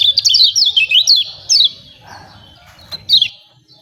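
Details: Lemon-bellied white-eye song used as a training recording to provoke birds to sing: a quick series of high, thin, twittering notes, a pause with faint rustling, then a short final burst of chirps.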